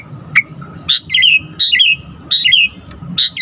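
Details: Asian pied starling singing as a lure for other starlings: short clusters of sharp whistled notes with gliding slurs, each burst followed by a brief pause, over a faint low hum.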